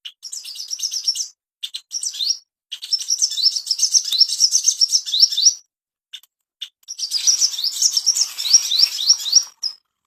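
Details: Ashy tailorbird used as a master song to bring birds into breeding condition: rapid high chirping phrases of rising notes, repeated several times a second in bursts separated by short pauses.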